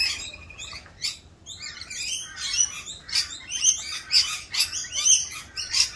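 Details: Rainbow lorikeets in mating season, more raucous than usual during their mating dance: dense, harsh, high screeching chatter from several birds, with rapid overlapping squawks about twice a second.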